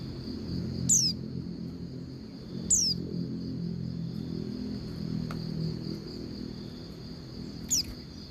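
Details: Female Oriental white-eye calling to a male; three thin, high, downward-sliding whistles at uneven gaps, set against a constant shrill whine and soft low noise.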